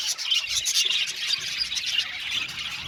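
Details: Flock of budgerigars, Australian parakeets kept in an aviary, producing a continuous loud wash of overlapping warbled chirps and high twittering chatter with no pauses.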